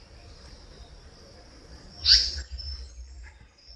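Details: Indian Paradise Flycatcher, commonly seen in bamboo forest, utters one short harsh screech, a call not sweet and the same in male and female, against a continuous high-pitched insect hum.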